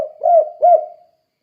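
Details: Spotted dove in full voice, used to train other doves to sing in the kuk-kuk style: two low, rounded coos about half a second apart, then a soft trailing hum fading out.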